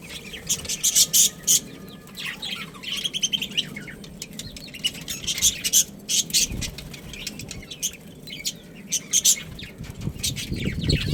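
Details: A pet budgerigar breeding pair gives a long stream of high chirps and scratchy warbles in irregular clusters, pausing briefly before resuming, over a faint low hum.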